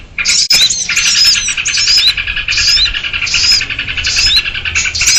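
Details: Lure recording of noisy sooty-headed bulbuls for trapping small birds: a sharp click, then steady raspy chattering with clear rising whistles recurring every second or so.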